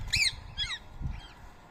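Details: Indian ringneck (rose-ringed parakeet) fighting, Coimbatore: three harsh, arched squawks about half a second apart, over a low background rumble.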